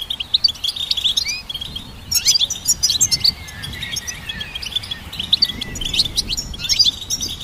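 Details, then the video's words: Goldfinch singing a fast, tinkling twitter of high chirps and short buzzy trills, with brief pauses between bursts and a thin, sliding whistle running underneath; faint low background rumble. "Goldfinch Symphony"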